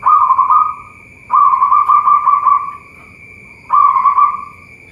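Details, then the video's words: Captive local zebra dove from a Boyolali bird farm, Central Java, cooing three low phrases. Each starts sharply, rolls through rapid pulsed notes and fades away, with pauses between phrases and a constant thin whine behind. "Perkutut lokal"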